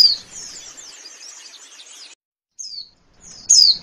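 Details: Male oriental white-eye singing: high, thin chattering warble for two seconds, a pause, a short bright phrase, then a loud sharp descending whistle at the end.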